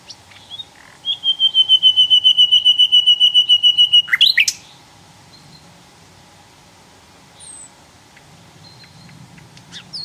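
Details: Javan flycatcher singing in the wild: a long, steady trill of fast repeated notes lasting about three seconds, ending in a sharp chirp, followed by quiet with faint distant notes.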